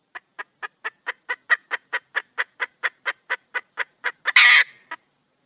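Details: Female red junglefowl calling for a male mate: a steady series of short, sharp clucking notes, about four each second, growing slightly louder, then one loud harsh rasping burst near the end and a final cluck.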